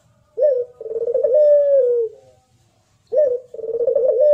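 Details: Clean recording of a competition puter pelung Barbary dove: a full coo with a short opening note and long, trembling, falling phrase, then a second coo cut short.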